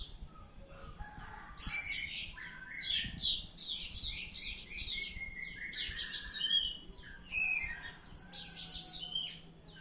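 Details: Oriental magpie-robin in full ngeplong song, dense bursts of scratchy high chatter over steady whistled notes, delivered in three long loud phrases separated by short pauses.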